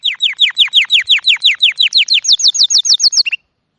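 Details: Small bird singing a steady string of downslurred notes, about five per second, shifting to a higher-pitched series near the end before falling silent.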